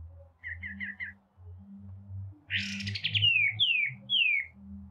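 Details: White-rumped shama song from a masteran training recording: soft repeated chirps, then a loud rasping burst leading into three clear downward-sliding whistles, over steady low-pitched background rumble.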